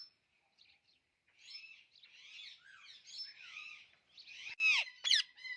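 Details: Alexandrine parakeet talking: a string of chattering, speech-like warbled phrases that rise and fall after a short pause, ending with two loud, harsh screechy notes and a brief squeak, with no other sounds.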